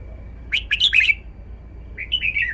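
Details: Caged red-whiskered bulbul singing a song phrase: a quick jumble of bright, slurred warbling notes, then a short pause and a falling warbled phrase, with a faint steady tone underneath.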